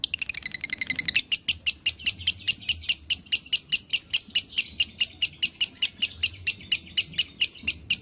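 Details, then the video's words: Konslet-style lovebird dobelan: opens with a very fast, ringing trill of stacked notes, then settles into sharp high chirps repeated steadily about four times a second. "Suara dobelan lovebird"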